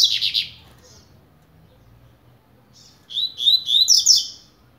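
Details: Caged Double-collared seedeater of the blade song style, starting to warm up: a short bright burst, a pause, then a fast run of high, sharp, buzzy trilled notes climbing and tumbling together.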